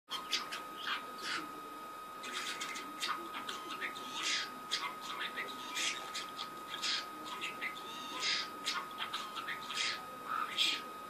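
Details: A pet talking budgerigar at play chatters in rapid bursts of scratchy, high-pitched mimicked speech and clicks, with a steady electronic hum behind.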